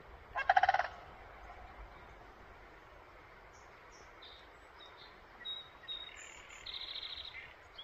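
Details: A crane gives one loud, rolling, rattled call lasting about half a second in spring, in a mountain setting. Faint high chirps from small birds follow over a steady background hiss.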